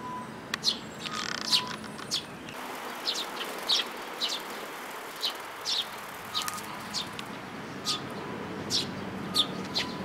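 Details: Sparrows with a chick, 18 May 2018, give a run of rapid high chirps, several per second at times. A buzzing sound comes early on and fades after about two seconds, leaving a mild background hiss.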